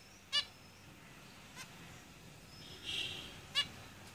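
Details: Zebra finches in a cage give two loud, short, nasal honking calls about three seconds apart, with a fainter call between them and a soft sighing note before the second, over a quiet background hiss.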